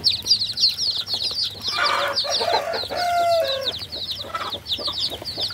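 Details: Baby chickens giving dense high peeps, joined midway by a louder lower harmonic call and some rustling before the steady chirping resumes.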